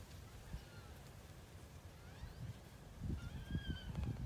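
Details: Wood ducks in 2018 giving thin whistled notes: a faint one early, then two clearer slightly wavering whistles near the end, set against low thumping and rumbling noise that grows louder toward the close.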